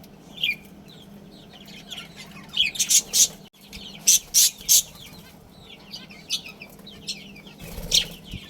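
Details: Budgerigars, a breeding pair and family, twitter in low warbles, then give a series of loud sharp chirps, about five in quick succession around three to five seconds, and another near eight.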